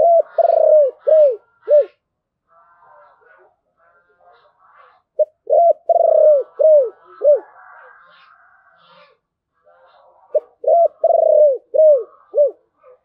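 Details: Spotted dove singing in the prized 'giọng thổ' style: three bursts of deep, arched coos, each a quick run of rounded notes, separated by pauses with faint higher chirps from other birds.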